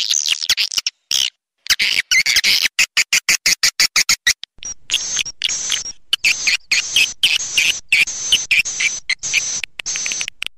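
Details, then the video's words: Swiftlet lure call played to attract swiftlets: dense, rapid bursts of high buzzy chirps and twitters, repeated in short blocks separated by brief silences, with sharp clicking pulses early on. "Suara panggil burung walet"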